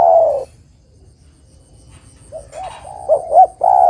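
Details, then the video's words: Zebra dove song used to lure birds into traps: a rolling coo, a long pause, then soft hooted notes building to two louder ones and another long coo. "Suara Burung Terkukur Gacor Paling Top Untuk Pancingan & Pikat"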